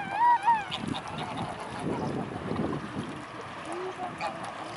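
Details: Mute swan among a large gathering of swans at Blaues Wunder, 25 May 2016, 15:27. A loud nasal call with a wavy, rising and falling pitch comes near the start. Softer grunting sounds and low rumbling background noise follow.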